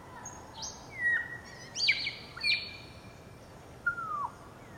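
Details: A grey parrot (Psittacus e. erithacus) in Entebbe, Uganda, in January 2025 gives clear, falling whistles mixed with a few harsher, higher notes, in short bursts over a steady background hiss.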